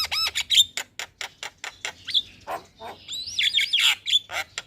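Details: Javan myna morning song used as a master and lure: rapid sharp clicking notes in a steady train, broken by squeaky whistled phrases and buzzy chatter.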